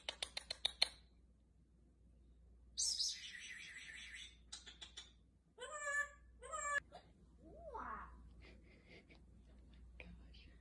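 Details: Talking African grey parrot with a varied, quiet run of sounds: a burst of rapid clicks, a harsh noisy squawk, then several clear harmonic whistled and speech-like notes, some rising and falling, over a low steady hum.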